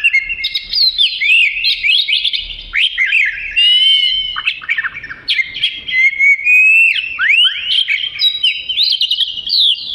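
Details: Oriental magpie-robin in prolific song intended as fill material for training other birds: an unbroken, energetic medley of sharp whistles, trills and quick up-and-down slurs, loud throughout.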